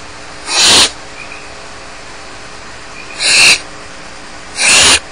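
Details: Barn owl chicks left alone in the nest at Starr Ranch, begging with harsh, broadband hissing snores, each about a third to half a second long, three in roughly five seconds over a quiet background.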